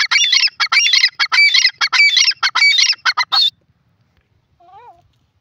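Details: Grey francolin, known locally as Sindhi teetar, calling: loud, harsh, ringing notes delivered in rapid chattering bursts for about three and a half seconds, followed by silence and one faint, lower, short note.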